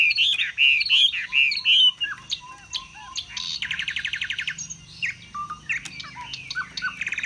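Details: A Chinese hwamei in a cage, spreading its feathers in display, sings high: a string of loud looping whistles, a short fast trill, then softer scattered whistled notes and clicks.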